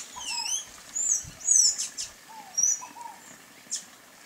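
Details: Sayaca tanager (sanhaço-cinzento): thin, very high squeaky notes and short sliding chips in scattered bursts, with softer lower descending whistles from another bird in the background.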